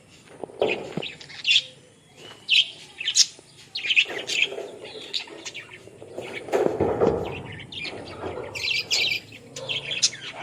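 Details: Australian parrots giving scattered high chirps and short squawks, some in quick pairs. Spaced bursts over a background of softer mid-range rustle and murmur.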